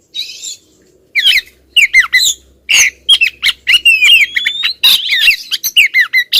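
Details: Insistent calling by a female Oriental magpie-robin directed at a male. A buzzy opening note, a short silence, then rapid chattering squawks and rising whistled slurs in quick succession.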